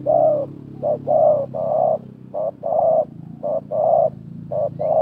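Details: Spotted dove calling hard against a rival during 2024 decoy trapping, wild bird versus decoy: steady phrases of deep, hoarse coos, brief notes followed by longer ones, almost without pause.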